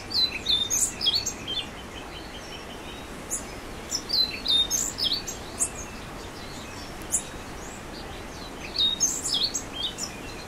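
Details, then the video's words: Orange-billed nightingale-thrush song: short, hurried phrases of high, squeaky, slurred notes, each about a second long, given three or four times with pauses of a few seconds between them, over light background hiss. "Orange billed Nightingale Thrush Singing"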